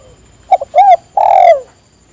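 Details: Spotted dove inviting companions to join in calling with one phrase of two brief notes, a smooth arched coo and an extended coo that slides lower at its end, over a thin constant high whine.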